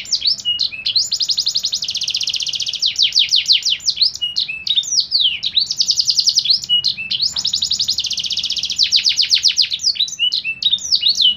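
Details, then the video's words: Contest canary in full song: dense fast trills alternating with sharp upward and downward whistled sweeps, the pattern cycling several times without a break, over a soft low background hum. "DENGARKAN LAGUNYA JURIIIIIII...!!!! GAYANYA JUGA OKE! | KENARI MANTAP"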